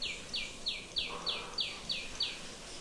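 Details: In Vrindavan on 15 April 2020, a tiny sunbird gives a fast series of eight high, sharp downslurred notes, about three per second, over a steady background hiss.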